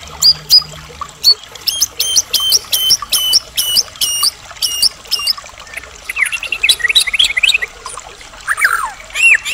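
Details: White-rumped shama, Medan type, singing full of varied fill-ins to spur other shamas into song; a rapid series of repeated high stuttering notes is followed by a jumble of twittering and chattering phrases.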